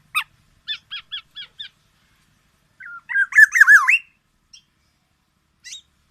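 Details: Black-naped oriole: a few short, sharp notes, a pause, then a warbling, wavering phrase with a fluty whistle. Single high notes follow, with quiet gaps between.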